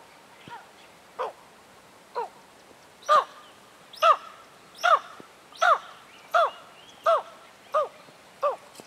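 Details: Tawny eagle in Kruger National Park, South Africa, giving a long series of harsh, barking, downslurred notes about one per second, growing louder toward the middle, then easing slightly; quiet natural background.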